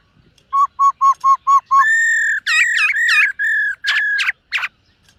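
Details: Black-throated laughingthrush practising its voice in the morning: six short low whistles repeated quickly, then long steady whistles broken by looping, warbled phrases and sharp notes.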